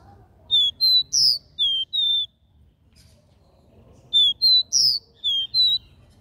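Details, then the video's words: Two matching phrases of the capped seedeater's three-note regional 'Dó Ré Mi' song, each about five clean whistles, one rising higher, separated by nearly two seconds of quiet. "CANTO DO CABOCLINHO DÓ RÉ MI 3 NOTAS REGIONAL"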